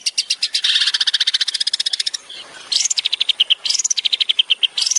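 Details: Long-tailed shrike singing in the tembakan style, used as a master recording for training songbirds: long runs of rapid, evenly spaced sharp notes, then rising whistled sweeps followed by quick chattering bursts.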